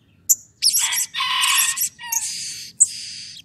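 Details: Blue-crowned hanging parrot calling excitedly, used as a lure to get other birds of its kind to call: a sharp high squeak, then long shrill buzzy bursts, one with a lower tone beneath, then a final piercing note.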